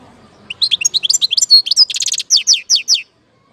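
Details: European goldfinch song from Algeria, 2019: quick high tinkling notes building into a buzzy trill, then a few clear, evenly spaced descending chirps before falling silent.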